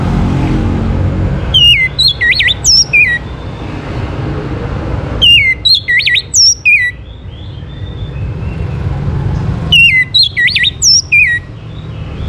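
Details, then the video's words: Orange-headed thrush song, used to prompt other birds to sing: three bursts of loud whistled phrases, each with a sliding whistle then rapid clear notes and a falling end, about every four seconds, over a low background rumble. "KICAUAN ANIS MERAH UNTUK PANCINGAN AGAR BURUNG IKUT BERKICAU"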